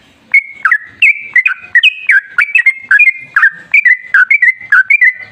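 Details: Loud, nonstop sooty-headed bulbul singing meant to coax other bulbuls into song: clear whistled notes that jump up and down, chained into quick repeated phrases about twice a second.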